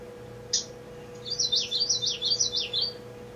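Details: Common Yellowthroat song, the species' single song type repeated all season: a quick, high, rolling 'witchety-witchety-witchety' phrase about four times in two seconds, over a steady low electrical hum; studied for sexual selection on song performance.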